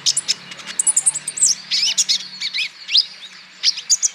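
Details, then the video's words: Olive-backed sunbird song used as a lure to set other sunbirds singing: rapid run of sharp, very high chirps and quick rising and falling whistled notes, closely packed, with brief gaps. "PANCINGAN KOLIBRI NINJA BAHAN •TERAPI KONIN IJOAN GACOR"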